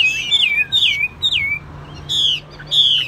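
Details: Loud, rich whistles from a caged, largely tame Chinese hwamei: descending slurred notes followed by two long, strong level whistles with brief gaps between them.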